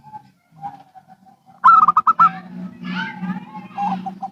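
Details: Local and Bangkok zebra doves answering each other: soft scattered coos lead into a loud rapid coo phrase, followed by a low steady hum and mixed chattering sounds.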